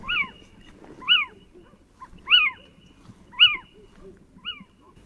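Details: Little Owl in Portugal giving its common "mewing" call, heard mostly at night, plaintive cat-like rising-then-falling notes about once a second, over low background hum and a distant barking dog.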